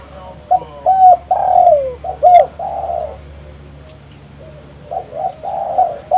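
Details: Spotted dove calling hard, played to lure wild doves; a burst of short low coos and a long slurred coo, a pause, then a quieter repeated phrase of soft coos.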